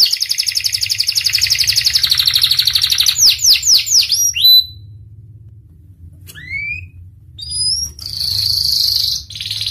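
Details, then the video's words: Panda canary singing vigorously: a fast even buzzing trill, then a run of sharp downward-sweeping whistled notes, a brief pause, and a few rising slurs before a high rattling trill, with a faint low hum underneath. "Kenari panda gacor"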